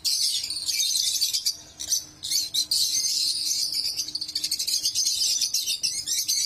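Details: Lovebirds chirping: dense, continuous high-pitched chatter of rapid twittering notes that overlap one another, dipping briefly around the two-second mark before resuming at full intensity.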